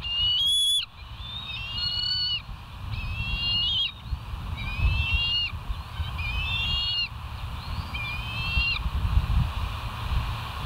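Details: Bald eagle at West End, seen on a live nature cam in September 2023: one sharp, loud whistle, then a string of quieter, rapid chittering phrases with stuttering, slightly rising high notes, steady low hum beneath.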